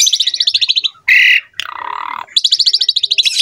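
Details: Asian pied starling song from a master recording for young birds: fast pulsing rattled trills broken by a loud harsh screech and a buzzy grating note.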